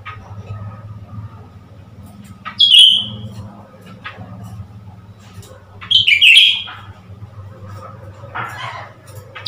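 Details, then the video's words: Mirror-provoked Blue-winged leafbird, a recent acquisition, February 2021: a clipped high whistle, then about three seconds later a tumbling burst of squeaky slurred notes, followed by a softer rasp, against a low hum. "นกเขียวก้านตองปีกฟ้า นกใหม่พึ่งได้มา หลอกให้เล่นกับกระจก"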